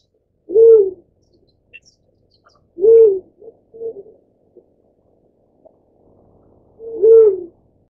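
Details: A Black-chinned fruit dove feeding its chick gives single low, soft hoots about every two to four seconds, with a few quieter short notes between.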